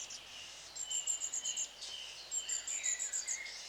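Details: Long-tailed tits calling: thin, very high notes in short bursts, several quick pulses strung together, with a lower twittering note beneath and faint background hiss.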